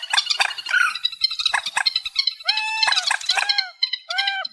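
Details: Amplified reed warbler singing a grating, chattering sequence, then repeated arched notes in pairs and triplets, loud and rasping throughout.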